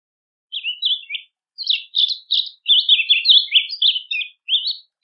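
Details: Rusty-collared seedeater singing a training song: a brief opening chirp phrase, a short gap, then a fast series of sharp, slurred and warbled notes; no other sounds.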